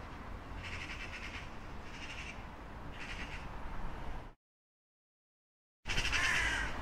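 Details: Crows calling with harsh, hoarse caws, three evenly spaced rough calls, then a brief silence before another raspy caw; steady low background rumble throughout.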